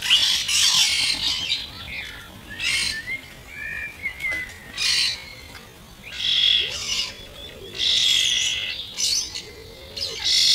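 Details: Young starlings, mostly this year's first brood, squabble over food, played at half speed: a string of harsh, hissing screeches in bursts of about half a second to a second, with quieter gaps and faint thin whistles between them.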